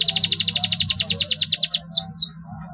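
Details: Canary in long continuous song, used to prompt canaries that have stopped singing: a rapid pulsed trill of about fourteen notes, then two quick descending sweeping whistles, over a faint steady low hum.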